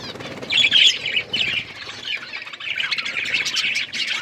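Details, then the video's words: Budgies chirp in a lively burst of squeaky peeps and warbles, louder at first, then a softer chatter that swells again near the close. "Beautiful budgies parrot chirping sounds"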